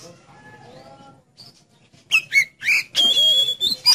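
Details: Oriental magpie-robin song used to stir a kept magpie-robin to sing: faint low background at first, then a lively burst of loud whistled notes ending in a long, level, high whistle.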